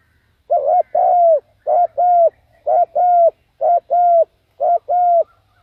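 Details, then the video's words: A decoy spotted dove calling wild doves gives five matched two-part phrases, roughly one per second: a brief coo, then a longer level hooting note, clean and evenly spaced. "chim cu mồi gáy gọi bổi"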